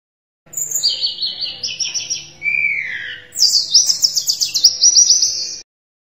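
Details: Sunda robin in full song: high whistles slide down and then back up, followed by a bright, rapidly pulsed trill on a high pitch.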